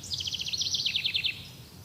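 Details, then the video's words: Forest bird song: a fast, even trill of about twenty high, sharply falling chirps lasting just over a second, then fading, over faint low background hum. "Relaxing Sound of Nature: 30 Minutes Birds singing in Forest"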